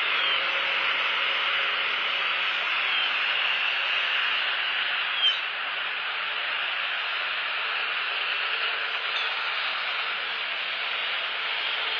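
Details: Steady broadband hiss with no clear animal calls.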